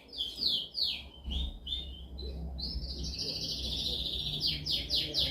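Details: Dominant canary song for training: quick descending sweeps repeated, a sustained rolling trill, then a series of sharp downslurred notes, over steady low background noise.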